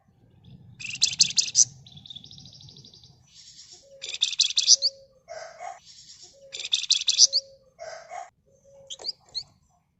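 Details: Red-whiskered bulbul giving nyerecet chattering song, played to draw out other birds: repeated dense high buzzy rattles mixed with thin whistled notes and lower short phrases, roughly every one and a half seconds.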